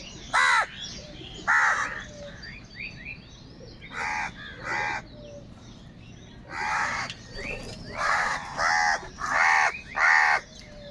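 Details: Crows calling while fighting over food: loud, harsh caws given singly or in pairs about once a second, with faint chirping of small birds in the background.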